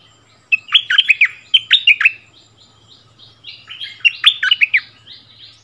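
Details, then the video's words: Decoy bulbul and the new resident territory holder trade doubled songs in the bird's old area, February 2021: two clusters of loud, bubbling, slurred notes, with softer overlapping song between them. "เสียงนกดอกแตงEp.30 คืนถิ่นเก่า!!ดวลเพลงเบิ้ลกับเจ้าถิ่น"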